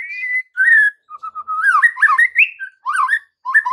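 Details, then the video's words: White-rumped shama singing as an afternoon lure so young shamas respond: clear level whistles followed by a tumbling series of looping, rising and falling notes, then short dipping phrases, all richly varied. "PANCINGAN MURAI BATU SORE HARI UNTUK TROTOL DAN PASTOL, AGAR MURAI NYAUT GACOR"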